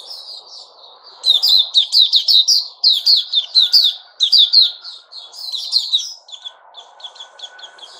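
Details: Sooty-headed bulbul recorded on 10 July 2021, singing bursts of rapid, bright chirping notes in quick runs, with pauses between phrases and a faint low hum underneath.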